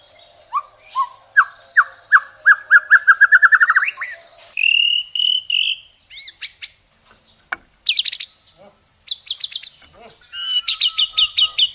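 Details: White-rumped shama masteran from Indonesia with long rapid phrases: a rising series of whistles that speeds into a trill, sustained buzzy notes, scattered sharp clicks and chips, then a fast high chattering run.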